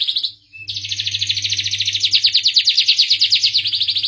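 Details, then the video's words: Kept canary of the starblue type giving a short burst of song: a quick note, a gap, then a steady, fast rolling trill of high repeated notes, about three per second pulses, over a low hum. "suara merdu kenari starblue"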